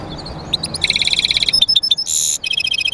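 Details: Goldfinch × canary mule in song: a rapid series of liquid twittered notes, short high tinkling pips, a brief harsh buzzy rasp, then more quick repeated chirps.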